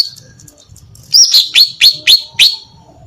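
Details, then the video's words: Singing female greater green leafbird, calling to draw in males; a quick series of five sharp, downslurred chipping notes, about four per second, after a brief quiet pause. "SUARA BURUNG CUCAK IJO BETINA GACOR MEMANCING JANTAN"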